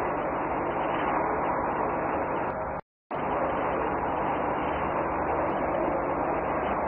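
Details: Continuous roar of road and rail traffic broken by a short silent dropout near the middle; no animal sound stands out.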